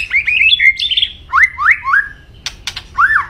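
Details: White-rumped shama in full song delivers quick warbled whistles followed by three rising slurred notes in a row and a final upswept whistle, with a few sharp clicks between.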